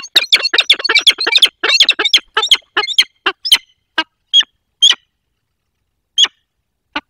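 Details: Wild peregrine falcon pair meeting at their nest in the Barycz Valley, Poland, on 22 October 2024. Loud, harsh, rapid chattering calls in a fast burst that slows and breaks into separate sharp, scratchy notes spaced about a second apart.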